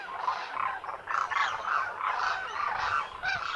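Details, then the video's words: Wintering Demoiselle Cranes, locally called Koonj, at the lake in Khichan, Thar Desert, Rajasthan, India: a dense flock chorus of harsh, rolling croaks in overlapping bursts, swelling and fading about every half second. "DEMOISELLE CRANES of KHICHAN at the lake in THAR Desert | RAJASTHAN 🇮🇳 INDIA | BIRD sounds | KOONJ"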